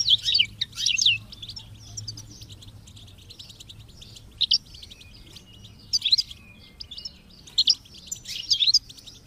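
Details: European goldfinch, a kept songbird being encouraged to sing, with chicks chirping: scattered bursts of high twittering and short chirps separated by quiet gaps, with a low background hum.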